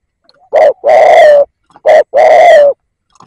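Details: Spotted dove kept as a decoy bird for luring, heard up close: one short coo and a long falling coo, then the same pair again, in otherwise quiet surroundings.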